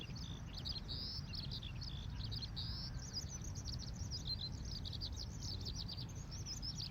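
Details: Eurasian Skylark singing over a campsite in Ibaraki Prefecture, Japan, the morning after strong wind, in a gentle breeze; continuous rapid high chirping and trilled notes run without a break above a steady low rumble of wind.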